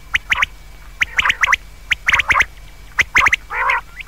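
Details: Common quail, offered for use at night, with rapid sharp three-note whistled phrases repeated about once a second. The phrases end in a brief nasal, gargling burst, over a low steady hum.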